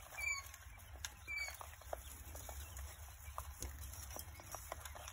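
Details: Coturnix quail chicks three days old: two short, high, thin peeps at the start, followed by scattered scratching, tapping and pattering.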